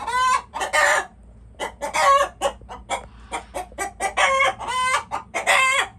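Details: Several chickens calling in loud, nasal squawks with clear ringing tones, short clucks in between and longer strained cries near the start and the end.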